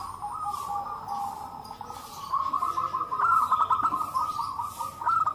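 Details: Group of local zebra doves calling back and forth, intended to prompt other doves to call. Soft rolling coos become louder and denser halfway through, with fast pulsed trills.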